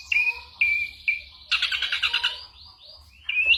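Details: Ashy drongo giving three clear level whistles, then a loud rough rattling chatter and soft upslurred notes, ending in a rising whistle; part of a mimicking song used to tutor songbirds.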